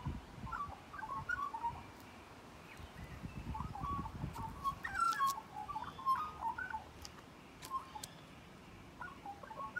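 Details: Magpie at close quarters giving a long, melodious warble of varied flute-like notes in bursts, separated by brief pauses, with low rumbling background noise.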